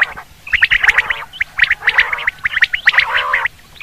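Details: Common quail call used for hunting: three bursts of nasal, gargling tones, each laced with quick sharp ticking notes, separated by short pauses.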